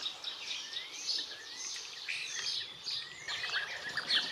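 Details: In Extremadura, European bee-eaters give repeated thin rising slurs about every half second, layered with bright chirps from other birds against a hissing rural background.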